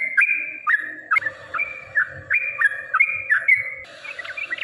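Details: Provoking fighting song of a yellow-vented bulbul, used as a lure: repeated two-part whistled phrases dropping then jumping back up, spaced roughly every half second, with a faint low hum beneath.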